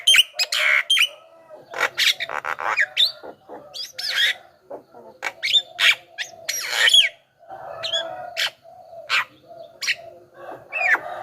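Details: Javan myna song as a lure for wild mynas: dense varied chatter of harsh squawks, clicks and whistled notes, rapidly repeated for eleven seconds.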